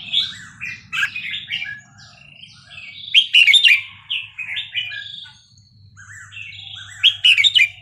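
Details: Burmese-style 3-4-5-6 song of a red-whiskered bulbul, played for training young birds: a continuous stream of bright, bubbly whistled notes, louder and more tangled around the middle and end, faint low rumble beneath.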